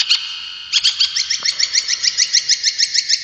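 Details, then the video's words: Brown shrike, a mimicking cage bird, giving a brief chirp, then a steady run of about three sharp upslurred notes each second, evenly spaced and bright. "Masteran Burung Cendet ! Pentet Durasi Panjang Buat Masteran"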